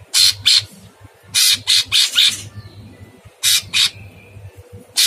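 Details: Sooty-headed bulbul in full, very rough-voiced song, used as a master recording for other birds: rough, raspy bursts in quick clusters, about two per second, with faint thin whistles between them and a low hum behind.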